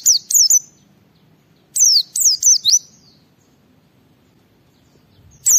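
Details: White-eye 'ngalas' song used to draw other white-eyes into singing: bursts of three and four sharp, high, downward-sliding whistles with a long pause before another phrase starts.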